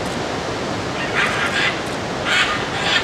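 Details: Scarlet macaws (Ara macao) in Corcovado forest, Costa Rica, March 2018; two harsh, raucous squawks about a second apart, each grating and drawn out, over a steady hiss of wind or surf.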